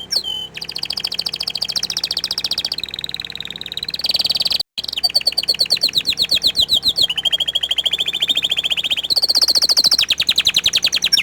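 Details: Long orange frost canary song of changing high trill phrases: fast buzzy rolls, sweeping whistles, a lower steady rattle, then a rising bright trill, with one brief cut partway.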